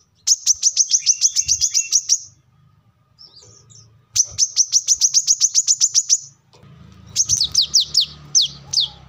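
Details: Energetic song of the brown-throated sunbird, or wiceh, meant for luring or tutoring birds: three long bursts of rapid, needle-thin high notes, the last slower and more slurred, over a faint low hum.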